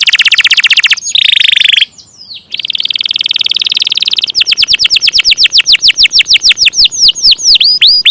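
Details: Canary song beginning with a fast buzzy trill, a short pause, another rolling trill, then clear repeated downward-sweeping whistles that slow toward the end.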